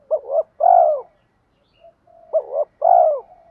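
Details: A spotted dove acting as a decoy to provoke rival males repeats a two-part phrase twice: a wavering double coo then a full, drawn-out descending croon, with a faint steady hum between phrases.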